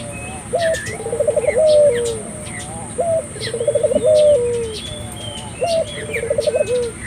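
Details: Spotted dove calling to stimulate local doves to call: low cooing phrases, each a short note then a rapid rolling series ending in a drawn-out descending coo, repeated about every two and a half seconds; steady high hiss and faint chirps behind.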